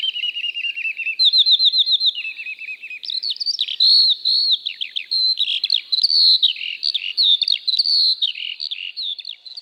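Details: Eurasian Skylark song over British fields from early spring, sung while hovering high in the air for minutes on end: a rapid, unbroken stream of high chirrups, trills and buzzy warbles, tumbling on without pause.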